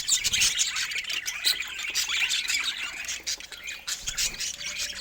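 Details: Budgerigars at play fill the air with fast, uneven chirping and warbled chatter, notes tumbling over one another at roughly three per second.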